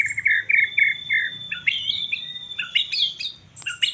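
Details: White-rumped shama in hot, contest-ready form: a run of four evenly spaced whistled notes, then quicker rising and jumping high whistles with sharp clicks, about three to four notes per second; low background hum.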